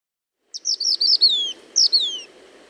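Gray Elaenia giving high, thin calls: a quick stutter of notes sliding into a falling whistle, then a shorter second falling phrase, over a faint low hum.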